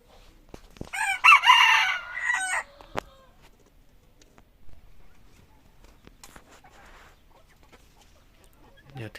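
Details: A red junglefowl of F2 generation gives one harsh, broken crow early on, lasting under two seconds. Scattered clicks, soft rustling and faint low sounds follow in an otherwise quiet setting.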